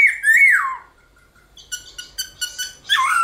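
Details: Black-throated laughingthrush singing in the morning in fighting style: one loud whistled phrase swooping down, a near-silent pause with faint ticks, then a run of short sharp notes and a final rich whistled downslur.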